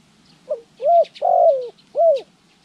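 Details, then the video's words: Trapping decoy spotted dove, January 14, 2020: a soft introductory note, then three hollow coos, the middle one longest and falling away, the outer two short and arched, delivered steadily. "pikat Terkukur trianing - របៀបបង្ហាត់លលកធ្នាក់ដី"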